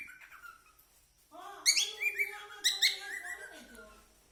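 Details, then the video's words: Cockatiel song: soft whistles at first, then a full warbling phrase of layered chirps and whistles that swells, peaks twice, and fades. "Cocktail Bird original sound"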